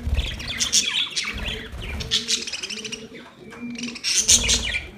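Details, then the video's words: Chirping budgerigars talking to each other, their busy, buzzy twitters rising and falling in clusters, while a deep, repeated cooing from another bird sounds underneath. "Budgies talking to each other"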